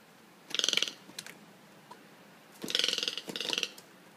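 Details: An angry pet Toco toucan attacking a visitor's shoes, which it hates. It gives harsh, rapid rattling croaks in two bursts, each grating series under a second long, while a person speaks soothingly nearby.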